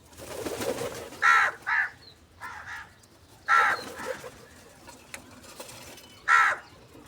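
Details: Crow calling for food in the morning while eating cheese and salty food: harsh, raspy caws in short bursts, mostly in pairs about half a second apart, with longer gaps between pairs, over a faint background hiss.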